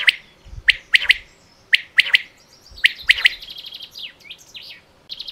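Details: Three-note calls of a common quail repeat about once a second: sharp, high, clipped notes in quick triplets, then fainter twittering and buzzy sounds in the last seconds.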